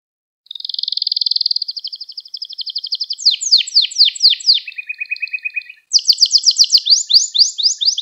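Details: Canary song recorded as a tutor for young canaries: a long fast trill of tiny notes, then rapid downslurred whistles, a lower buzzy roll, and a bright run of repeated sweeping notes.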